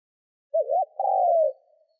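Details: Spotted dove call played to make wild doves respond fast: one clean low phrase, a brief wavering trill, a short gap, then a longer smooth coo that fades out, with no other sounds.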